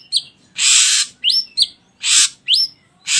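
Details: Ashy drongo singing as a lure to get other birds to sing: broad rasping hisses trade off with bright upslurred whistles, a pattern that recurs about every second.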